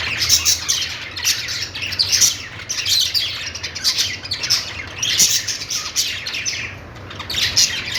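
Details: Several budgerigars chirping happily for eight seconds: continuous twittering warble of high notes and squeaks, swelling and fading in waves, with a quieter dip near seven seconds and a soft low hum behind.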